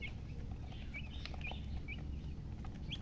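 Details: Chicken giving short, high, clipped chirps spaced irregularly about half a second apart, over a constant low hum.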